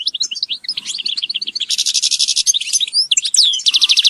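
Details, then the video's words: Group calls of European goldfinches, used to motivate captive birds: a bright, tinkling twitter of rapid liquid notes mixed with harsh buzzy trills and a few rising whistles, all high and quick. "Group calls for goldfinch"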